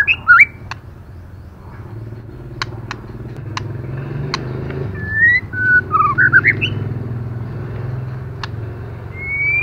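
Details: White-rumped shama hen calling to rouse males: looping whistles at the start, scattered sharp clicks, then a cluster of short twisting whistles and a final long rising whistle, over a low hum.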